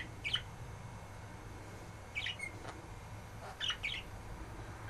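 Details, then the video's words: Pet budgerigar having its beard tugged, which it enjoys: three short, bright chirps spaced about one and a half seconds apart over a steady low hum. "Bobbys beard tug"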